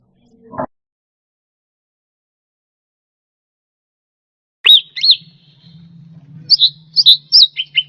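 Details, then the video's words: Captive cucak rante used as a tutor recording for pet songbirds: after a sharp click and long silence, clear whistled, upslurred and downslurred notes arrive in quick bursts near the end, over a faint low hum. "Suara Burung Cucak Rante"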